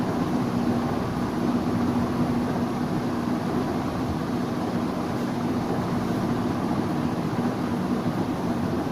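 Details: Loud constant motor hum with a low drone and dense hiss throughout; no animal voice stands out.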